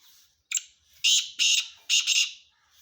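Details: Male black francolin calling: a brief rasping note, then three loud, harsh, grating bursts, the last one doubled, delivered in quick succession over about two seconds in otherwise quiet surroundings.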